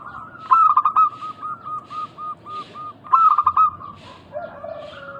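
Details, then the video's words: Lure recording of a local zebra dove singing to prompt other doves to reply. Two phrases about 2.6 seconds apart, each a clipped burst of notes followed by a string of gentle, evenly spaced coos, with a lower note near the end. "Pancingan burung perkutut lokal gacor suara mengundang bunyi langsung nyaut"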